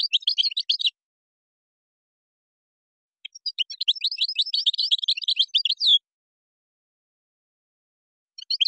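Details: Moroccan-style European goldfinch song, with phrases called gazrat and srrr bertbertiu. Short bursts of quick, sharp, high chirping notes, with a longer twittering phrase that ends on a drawn-out note.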